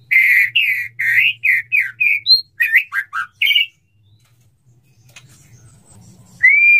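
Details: Male white-rumped shama courting a female, eager to mate: a rich run of rolling whistled notes around mid pitch with a few higher flicks, a pause with low hum, then one rising whistle.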